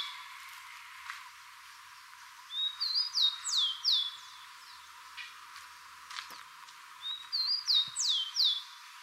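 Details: Rufous-collared sparrow singing while another forages for food, locally called pé de pilão in Ichu, Brazil: two short songs of a few clear whistled notes followed by a fast, descending trill, separated by a quiet pause over soft background hiss.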